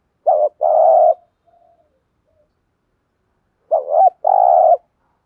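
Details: Spotted dove cooing, a recording with many song phrases used to stir wild birds into cooing: two low phrases, each a short doubled coo followed by a longer burry, vibrating coo, separated by about three seconds of silence.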